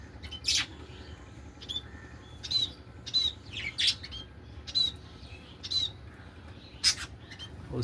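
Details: Pet budgies kept in a small aviary give high, short chirps and squawks in scattered bursts, roughly one every second.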